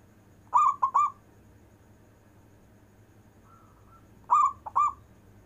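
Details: Local zebra dove singing long-breath coos to call lazy doves: two short phrases of three clipped, rising-falling coos, separated by a faint steady tone.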